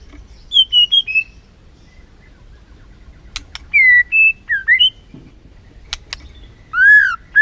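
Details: White-rumped shama lure song to stir a reluctant bird: scattered clear whistles, short slurred phrases and sharp clicks, ending in a loud rising-falling whistle.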